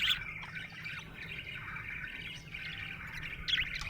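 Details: Contented budgie chattering with a run of soft, buzzy warbles and scratchy chirps, opening and closing with brighter squeaky notes over a faint low hum.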